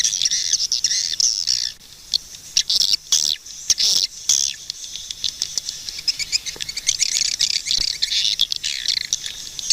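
Swiftlets give dense, high-pitched twittering chirps and rapid clicking bursts, overlapping continuously with brief pauses, from many birds at once.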